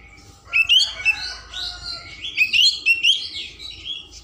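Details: Oriental magpie-robin in full song, used to stimulate other magpie-robins to open their tails: a rich, varied song of clear whistles, sweeping notes and scratchy phrases, delivered in two bursts.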